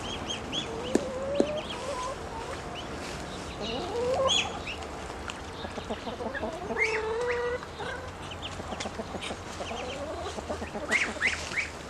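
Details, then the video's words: Grown ducklings calling when hungry: a busy mix of short high chirping peeps and a few lower, slightly rising whistled notes, with several birds calling over one another. "Ducklings have grown and are making more sounds, especially when hungry"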